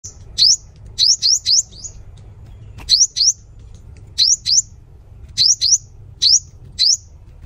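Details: Sunbird giving sharp, very high, upward-sweeping whistled notes, singly or in quick pairs and triplets, about fourteen notes in seven seconds with short pauses between bursts, over a faint low hum.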